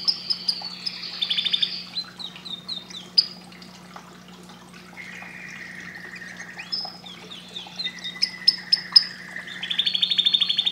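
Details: Singing canary: bursts of quick descending whistled notes, a pause, then lower rolling trills and sharp chips, ending in a high buzzy trill over a faint hum.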